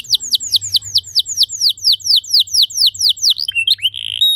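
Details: A canary sings a steady string of high, whistled down-slurred notes, roughly three per second, ending in brief twittering. The song is played to coax other canaries into long, clear singing.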